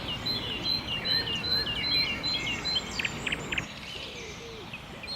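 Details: At sunrise in a seven-hectare park in Saint-Brieuc, France, a great tit sings to mark its territory, a quick series of short, bright, high notes about twice a second, with other birds chirping and a steady low rumble.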